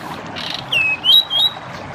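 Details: A Bar-winged prinia sings three quick, high, slightly buzzy whistled notes, the first dipping and the last two rising, over a steady soft hiss.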